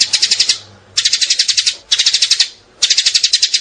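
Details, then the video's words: Sparrow sound from 2019, meant to lure sparrows for trapping: four bursts of rapid, evenly repeated high chirps, each run of about eight notes lasting half a second, separated by short pauses. "Tiếng chim sẻ mới 2019 đánh kinh tế"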